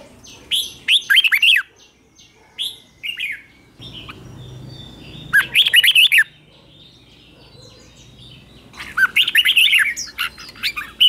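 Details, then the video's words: Morning training song of a caged red-whiskered bulbul: several separate phrases of fast, liquid, up-and-down warbled notes, with short softer calls between them and a low hum in the pauses. "Luyện chào mào hót sáng hót hay"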